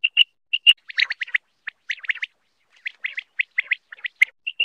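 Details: Batair, or quail, opens with paired clear whistled notes, then breaks into quick scratchy chirping in short bursts. It returns to a single whistle at the close.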